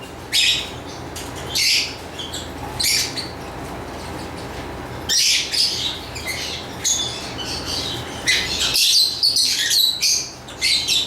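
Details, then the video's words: Lovebird chirping in short harsh high bursts separated by pauses of one to two seconds, then a busier stretch of overlapping chatter near the end; a faint steady hum underneath. "Lovebird Chirping Sounds"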